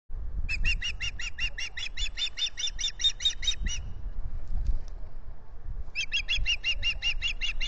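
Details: Female osprey begging at a nest camera site in Salt Point, where the pair has nested since 2013, spring. Rapid series of sharp, high chirps for about three seconds, a pause, then the chirping resumes, over low rumbling background noise.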